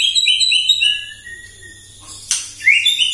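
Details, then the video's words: White-rumped shama singing in the morning, used as a lure to provoke other birds: a rapid series of bright, rising whistled notes, then a long level whistle, a sharp click, and more upslurred whistles. "PAGI-PAGI MURAI AUTO EMOSI MENDENGAR PANCINGAN INI❗ GACOR FULL❗❗"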